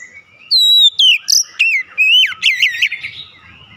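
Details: Oriental magpie-robin song used as a stimulating recording to get magpie-robins singing: loud, clear whistled notes, some sliding down and some rising sharply, ending in a fast trilled run of chirps.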